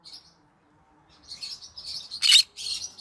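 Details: Green-cheeked conure parrot singing in the evening: soft high chirps, then a dense run of chattering tweets and one sharp, loud squawk, followed by more scratchy chatter.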